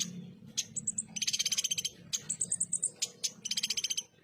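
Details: Konin or ruby-cheeked sunbird in the rough 'tembakan' song style: rapid ticking trills in repeated bursts, mixed with thin high whistled notes and sharp isolated chips. A faint low hum sits underneath.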